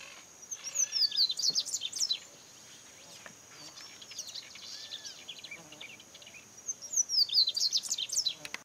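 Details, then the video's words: Double-collared seedeater (Sporophila caerulescens), 2018: high twittering song phrases at the start and end, separated by a quieter stretch, with a constant high-pitched insect drone running throughout. "Cantos Corbatita común Sporophila caerulescens"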